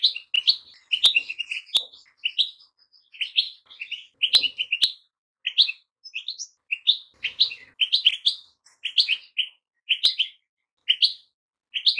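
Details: Goldfinch in steady song, delivering rapid tinkling, twittering phrases roughly every second, high-pitched and bright, punctuated by a few sharp clicks.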